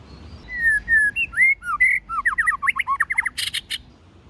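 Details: Forest-voice singing from a white-rumped shama, meant to stimulate newly caught birds. Smooth rising and falling whistles lead into a rapid chatter of short slurred notes, then a couple of harsh rasping bursts.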